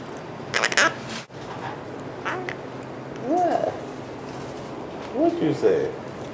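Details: A pet male Hahn's macaw gives short, nasal vocal phrases and small kissing sounds when a person asks it for a kiss in a quiet room.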